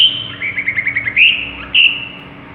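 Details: Long-tailed shrike, a skilled imitator, gives a drawn-out whistle, a quick stuttering trill of lower notes, then two bright rising whistles.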